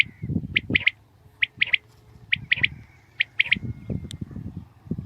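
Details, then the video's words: Morning recording of a common quail giving clipped triple-note calls, spaced roughly one second apart, over a low, steady background hum and scattered low thumps. "Aj suba Batair Ki Awaz ki Recoding| Khali Batair ki Batair ki Awaz| Quail sounds|lCommon Quail 2020|"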